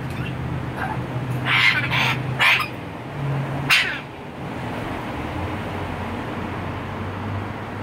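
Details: A pet red-tailed African grey parrot, out in a large cage with a second bird, playing and hanging from a toy, gives four harsh, raspy squawks in quick succession over about two seconds, then falls quiet against a low indoor hum.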